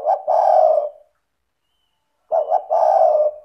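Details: Spotted dove calling steadily, meant to stimulate lazy doves to vocalise: two low, throaty phrases of short clipped notes followed by a longer rolling coo, separated by over a second of silence.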